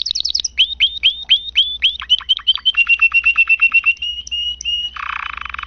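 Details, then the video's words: Lively canary song opening with quick falling chips, then repeated upswept whistles, a long fast trill of clipped notes, a few sharp high squeaks and a final harsh buzzing rattle, over a faint low hum. "kenari kicauan gacor"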